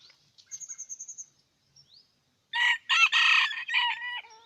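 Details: Red junglefowl from Aceh crowing: a loud, harsh, rich crow lasting under two seconds, with faint high thin chirps and short notes before it.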